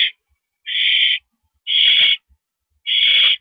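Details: On April 5, 2012, at 10:30 PM, an owl at the nest screeches while a mouse is delivered: drawn-out raspy hisses about half a second long, three full bursts spaced a little over a second apart.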